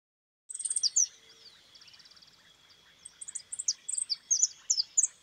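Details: Goldfinch, described as white and 'suelto', singing at close range: a rapid, high twittering of sharp chirps, a brief buzzy trill, then a lively run of varied chirps and slurred whistles. A steady faint tone runs underneath.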